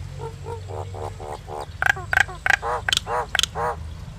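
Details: Common myna, also called Indian myna, singing: a run of throaty, croaking gurgles repeated about every quarter second, broken by sharp high clicks and short whistled notes, over a steady low rumble.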